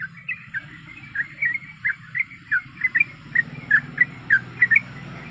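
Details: Yellow-vented bulbul female calling a male while in breeding condition: moderately faint string of short whistled chirps, rising and falling, over a noticeable hiss and low rumble.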